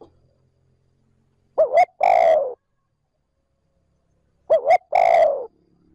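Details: Trơn ròng calling by a decoy spotted dove aimed at drawing wild doves: two identical phrases, each two brisk hooting notes then a lengthy descending coo, separated by near silence.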